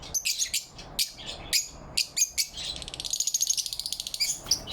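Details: Lovebirds chirping in morning light on November 4, 2023. Clipped high chirps repeat for a few seconds, then turn into a rapid rattling trill of closely packed pulses.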